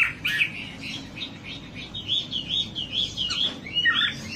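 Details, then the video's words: Wambi song from a training recording to make birds sing: quieter string of thin, wavering chirps and trills, irregular in spacing, against a light hiss. "Suara pancingan burung wambi agar cepat gacor"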